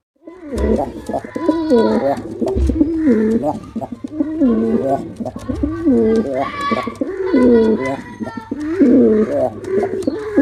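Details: Continuous loud cooing from a performing male pigeon, low gurgling phrases that rise and fall, repeated steadily with soft thumps and rustling in the background.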